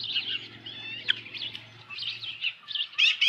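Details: Dunrovin Ranch osprey nest, July 2018 evening, large headless fish delivered: continuous high chirping with thin whistled slurs and a sharp squeak, a low hum underneath early on.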